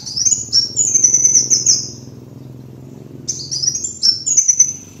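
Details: Lure recording of a kolibri wulung sunbird: shrill, high-pitched twittering trills in quick runs, a pause of about a second, then more rapid tinkling phrases, with a low steady hum behind.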